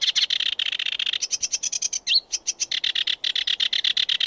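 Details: Sedge warbler (Acrocephalus schoenobaenus) song: a fast, unbroken stream of harsh chattering notes, about ten a second, with a brief high whistled phrase in the middle.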